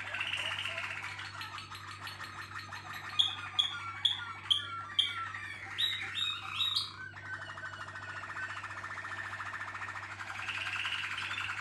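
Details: Waterslager (Malinois) canary team singing: rolling trills, then a row of bright, evenly spaced chirped notes around second three to five, dropping back into a soft continuous roll, over a steady low electrical hum.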